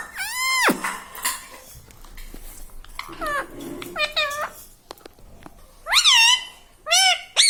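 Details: Indoor parrot producing talking sounds, a long meow-like harmonic note, then clusters of short bent syllables and loud wavering, rising-falling notes near the end, with faint room noise.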